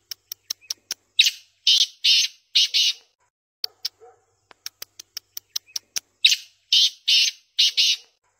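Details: Tame black francolin calling: harsh, broad rasping notes in runs of three or four, interspersed with sharp clicking taps and brief quiet gaps.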